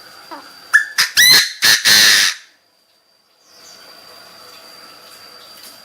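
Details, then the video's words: Chinese francolin decoy bird calling its flock with intense crowing: a loud, harsh series of four or five grating, ringing notes delivered rapidly, followed by silence and faint background hiss with a steady high tone. "Tiếng chim đa đa gọi bầy chim đa đa mồi gáy cực căng"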